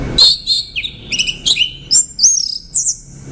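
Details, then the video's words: A rapid, continuous string of varied high chirps, trills and short slurred whistles from an orange-headed thrush. "Tiếng chim Hoét lửa"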